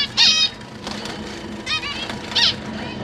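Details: Zebra finches in a large cage, a pair with three juveniles and three newly hatched babies being fed, 12 September 2023; three separate nasal honks, the first and last loudest, over a soft steady background.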